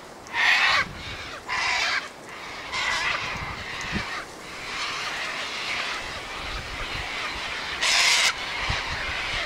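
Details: A gathering of sulphur-crested cockatoos squawking: several harsh rasping screeches in the first two seconds, softer distant calls in between, and one more loud screech near the end.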